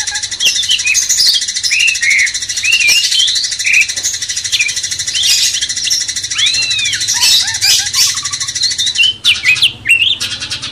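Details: Sooty-headed Bulbul song, a master recording meant to excite a magpie-robin: a long run of quick whistled notes and arching slurs, varied and lively, with a steady hiss behind and a brief break near the end.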